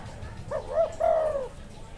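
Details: Wild spotted dove giving a single soft cooing phrase: two quick rounded notes followed by a longer, steady, mellow coo that fades at the end, over a quiet low background hum.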